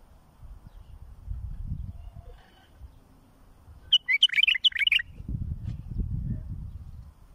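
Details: Song of a bulbul meant for tutoring fledglings: after quiet rumbling, a single quick phrase of clear, tumbling whistled notes, about a second long, gives way to louder low-pitched rustle and thumps.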